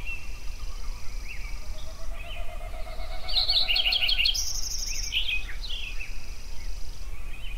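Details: Songbirds singing at sunrise in Yellowstone; a loud rapid twittering burst with very high thin whistles stands out midway, while softer whistles and a faint trill continue around it above a low rumble.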